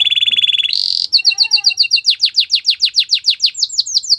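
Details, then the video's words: Belgian canary singing: a quick buzzy trill and short high rattle, followed by a steady series of sharp swept whistled notes repeated about four times a second. "Belgian canary singing"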